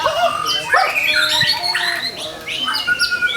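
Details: Medan white-rumped shama singing nonstop to provoke other shamas into singing. Dense, varied delivery mixes squawky harsh notes, quick chips and long level whistles, packed tightly with little break.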